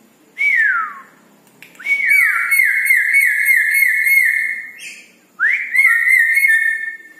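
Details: Red-breasted parakeet in lively night song: a falling whistled slur, then a long, high, wavering whistle with a rapid rippling trill, and a rising whistle that opens a second trilled phrase.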